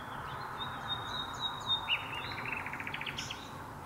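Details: At dusk, a common nightingale sings hidden deep in birch bushes, one of two singing birds. A long thin high whistle gives way to a quickening series of short rising notes over a constant low rumble.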